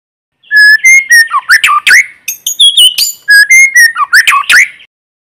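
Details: White-rumped shama decoy bird in forest, singing to stir rival birds: a loud, unbroken run of rich varied whistles, upward and downward sweeps and sharp accents, about four seconds long, with no background noise.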